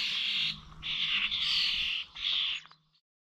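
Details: Starlings at the Corby Old Village bird feeders, 21 November, giving several long hissing, buzzy calls one after another before the sound cuts off into silence.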